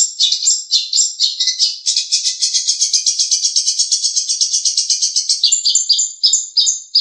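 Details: Long-tailed shrike training recording: a rapid, unbroken high-pitched chatter of squeaky notes, rattling along for several seconds before ending in separate sharp whistled chips.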